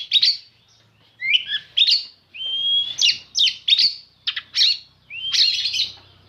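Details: Black-and-white oriental magpie-robin in full song, delivering quick bursts of bright whistles, twisting slurred notes and harsh rasping chips, phrase after phrase with short gaps, in a quiet setting.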